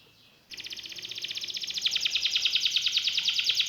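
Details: Canary delivering a long, dense, buzzing trill that begins abruptly and swells in loudness, notes repeated rapidly and evenly throughout, with faint background noise.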